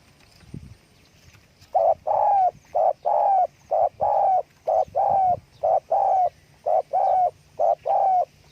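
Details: Spotted dove calling with wing flapping: a long series of low, hollow coos, short and longer notes alternating roughly once a second, each long note sliding slightly downward. A faint thump is heard just before.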